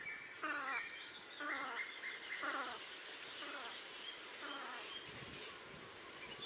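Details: Velvet scoter at Liepāja, Latvia, in March 2024: three clear nasal, vibrating calls in quick succession, followed by fainter, more distant similar calls over a hissing background.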